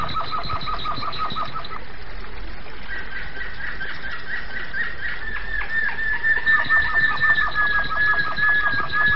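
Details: Flute-style (Flauta/Flawta) song of a domestic canary (Canário do Reino): a rapid rolling run of repeated notes, then a jump to higher pitch with a pulsing trill that blends into a clear, sustained whistle with beats underneath.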